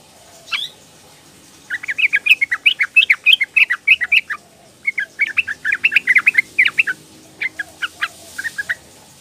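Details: Calls of a young female sooty-headed bulbul summoning males, a lure to make lazy males vocal: one lone note, then long rapid chattering runs of short bright chirps, tailing off into a few scattered notes.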